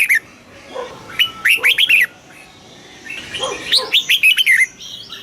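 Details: Red-whiskered bulbul song in the southern master style, played to excite caged birds and teach young birds. Two bursts of quick, bubbly whistled notes, the first near one second in, the second around four seconds, with fainter chirps between them.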